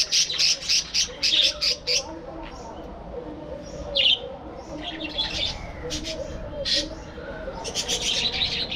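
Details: Captive budgerigar flock in a breeding colony setup, giving bursts of sharp, scratchy chirps early on, then softer warbled chatter and a few clear rising calls from several birds.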